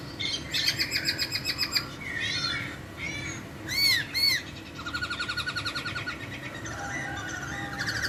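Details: A laughingthrush sings sweetly, and a normally lazy one replies in under a minute. Rapid chirping trills alternate with short, looping whistled notes and buzzy, tumbling phrases from more than one bird.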